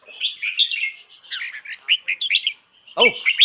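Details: Caged red-whiskered bulbul from Khlong Hae, Hat Yai, Thailand, gives a chattering series of bubbly, warbled phrases in quick succession; a man's voice cuts in near the end.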